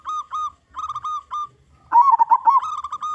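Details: Local zebra dove singing to lure others of its kind: a few short, level coo notes in quick succession, then a longer burbling, warbled run of coos at the end.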